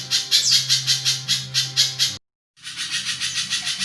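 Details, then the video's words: Spiderhunter singing a long, harsh, rough song, used as a master tutor for other songbirds; dense rapid pulsed notes repeated about four times a second, broken by a brief silence partway through. "Burung pijantung gacor panjang kasaran"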